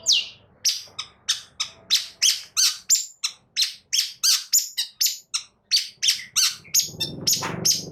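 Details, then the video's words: Long-tailed shrike song for provoking other birds to sing, a steady string of short harsh downslurred notes repeated about three times per second. "Cendet Malas Bunyi Agar Cepat Emosi gacor Sekali Dengar"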